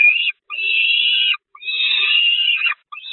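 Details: Famished Peregrine falcon chicks at the Catharinakerk church nest, 5 May 2021, assailing their mother: long, harsh, strained screaming wails, each about a second, repeated with brief breaks.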